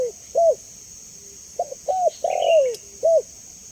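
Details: Spotted dove used as a lure and training sound: a lone coo, a pause, then a full phrase of soft notes, a long downward-bending coo and a short final coo; brief high chirping from another bird and steady hiss.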